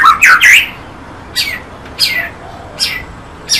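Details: White-rumped shama singing: a loud burst of slurred, bright whistled notes, then short separate phrases sliding downward, repeated about every half second to second.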